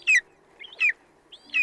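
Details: Golden eagle (Aquila chrysaetos) call: thin, high, downslurred yelps, three sharp notes about two-thirds of a second apart, each preceded by a softer chip.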